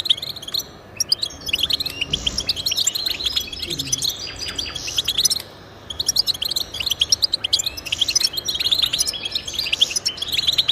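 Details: Goldfinch song meant to motivate caged goldfinches to sing: fast, tinkling chirps and twitters in busy phrases, with short gaps around one and five seconds before the chattering resumes.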